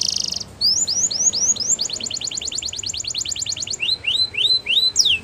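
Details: Russian singer canary training song with a fluting quality: a short buzzy trill, then a long series of clear rising whistled notes repeated quickly, speeding into a tight run before slowing to spaced upslurs again.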